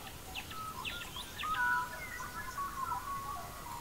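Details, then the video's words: Australian magpie singing in an Australian forest during the dawn chorus: rich, fluting, warbling phrases with gliding mid-pitched notes, joined by brief higher chirps from other birds, over a soft natural background. "Australian forest bird songs with Magpies"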